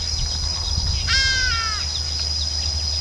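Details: A male Southern Red Bishop in breeding plumage at Vryheid, South Africa, on 2 December 2011, gives one nasal, slightly falling call lasting under a second. A steady high insect-like whine and a low rumble run throughout.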